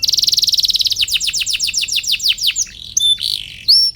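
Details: Singing canary meant to stir rival birds into answering: a fast high rattling trill, then a string of about twelve sharp downward-sweeping chirps, ending in scattered whistled notes.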